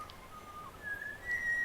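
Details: A Pied Butcherbird, one of eight living in a garden in Australia, gives a pure, fluted whistle: a mellow note gliding up to a higher sustained tone within two seconds, over faint background hiss.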